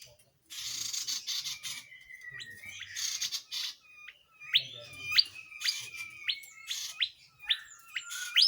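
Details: Tledekan jati in full gacor song for training other songbirds: early scratchy bursts, then a regular series of sharp rising whistled upslurs, about two per second, each ending in a short note.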